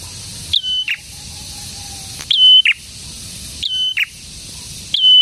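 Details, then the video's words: Prinia in full, lively song: a sharp note opening a steady high whistle, which ends in a short buzzy drop. The phrase repeats four times about every 1.4 seconds over a faint hiss. "BURUNG PRENJAK GACOR"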